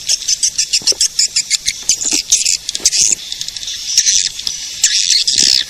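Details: Lure call for attracting edible-nest swiftlets: rapid regular clicking pulses, then a dense high chattering twitter.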